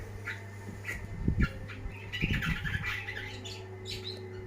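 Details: Long-tailed shrike (cendet), a first-place champion, singing energetically. Scattered scratchy notes build into a chattering burst midway, mixed with low thumps and a constant low hum.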